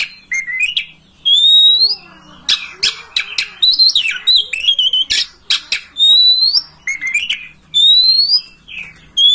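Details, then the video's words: Oriental magpie-robin master song meant to prompt a home bird to open its tail and sing: varied clear whistles, rising slurred notes and sharp harsh bursts in quick succession. "Masteran kacer agar ngobra"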